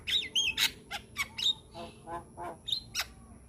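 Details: Brief vigorous song from a young Javan myna: clear whistled notes and sharp squawks, then a few lower nasal harsh calls, ending in a bright whistle.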